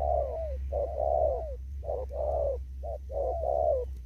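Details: Wild spotted dove in an upland field, Kon Tum, Vietnam, cooing in the đồng thúc gù style: repeated pairs of a brief clipped note and a drawn-out, softly falling coo, with a faint low hum beneath.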